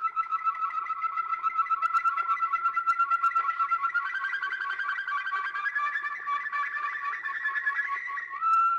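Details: Old Belgian recording of a Waterslager canary: a long even pulsing roll of rapid repeated notes, slowly rising and thickening in the second half, ending on a clear whistled tone.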